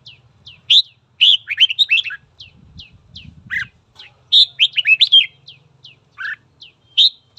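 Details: Morning song of a red-whiskered bulbul for voice training and provoking a fight: two rapid, bright warbled phrases between loud whistled notes, with faint high chips repeating steadily and some brief low rustling.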